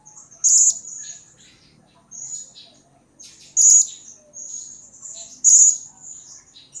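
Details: Blue-crowned hanging parrot used as a lure to make other birds respond. Three loud, shrill high notes are spaced about one and a half seconds apart, with thin, buzzy twittering between them.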